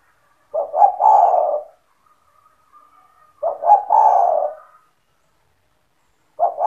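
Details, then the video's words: Spotted dove in lively song, kept to lure other doves into calling: two complete low coo phrases about three seconds apart, each opening with quick paired notes and ending in a long soft coo, a third starting. "SEMUA TEKUKUR / DERKUKU AKAN TERPIKAT DENGAN SUARA TEKUKUR GACOR INI"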